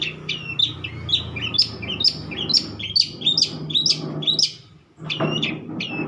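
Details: Long-tailed shrike of mature age in full song: quick, high, chirping notes repeated about twice a second in an irregular chattering series, a brief pause, then the chirps resume over a low steady hum.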